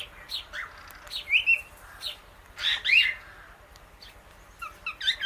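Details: Indian ringneck parakeet eating guava seeds alongside an Alexandrine parrot; isolated clicks and short, high chirps, with louder rising chirps near the start and middle.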